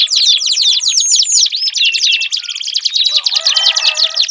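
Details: Canary song used to encourage a silent canary to sing. Fast, loud rolling trills of sharp downward-sweeping notes, followed by a long steady high trill with a faint low hum underneath.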